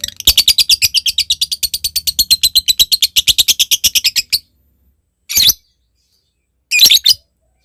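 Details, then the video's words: Lovebird ngekek call, meant as a lure to provoke a rival bird into calling: a rapid rattling burst of harsh, high notes lasting about four seconds, then silence and two short, separate squawks. "Suara Lovebird Memanggil Lawan Ini, ngetik lanjut ngekek"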